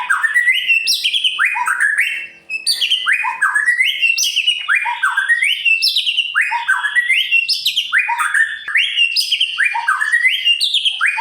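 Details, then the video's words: White-rumped shama (murai batu) pouring out continuous gacor song, meant to spur other birds to sing: fast, varied whistled phrases that sweep up and down, layered densely with almost no breaks. "Murai Pastol Gacor Cocok untuk Memancing Burung Yang Kurang Emosi"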